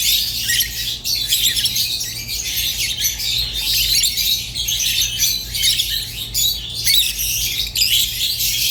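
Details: Lovebirds of the rosy-faced and Fischer's kinds chatter busily in rapid, overlapping high squeaks and harsh chirps that run without pause, with a soft hum in the background.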